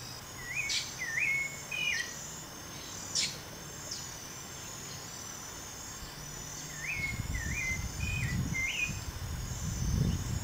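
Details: Rufous hornero feeding its young in breeding season: short clear whistled notes, each with a sharp up-and-down inflection, given in two bursts over insect hum, with low rumbling noise toward the end.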